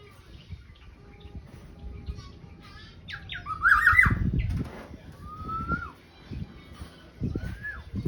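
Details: Black-naped oriole (kepodang) singing actively: a loud, harsh-edged fluty burst mid-way, followed by two separate slurred descending whistles, with a few dull thumps in the background.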